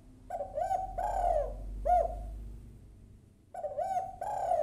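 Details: Female spotted dove calling to a male with two phrases of hoarse coos, each a few short notes leading into a longer drawn coo, about three seconds apart, over a faint low hum.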